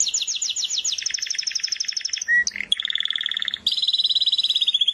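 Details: Canary song made of fast repeated double notes, a short low whistled phrase with a brief pause, then a steady high rapid trill that runs to the end.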